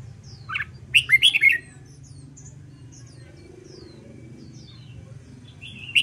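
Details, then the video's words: Caged red-whiskered bulbul in training to sing: a short burst of bright, warbled whistled notes around one second in, then a brief clear note at the end, over a low steady hum. "LUYỆN CHÀO MÀO HÓT ĐẤU/ BỔI NHANH MỞ MỎ SỔ GIỌNG/ CHÀO MÀO HÓT VUI MỖI NGÀY"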